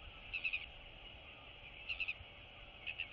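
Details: Royal albatross chicks greeting one another in a colony; quick rattling chatter bursts of three or four notes, repeated roughly every one and a half seconds.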